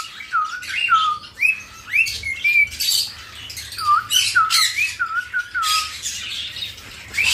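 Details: A pet cockatiel in a breeding aviary with budgies, conures and lovebirds feeding chicks gives clear, slurred whistles, short dipping and rising notes repeated about every half second, over harsh squawks and chatter from other caged birds.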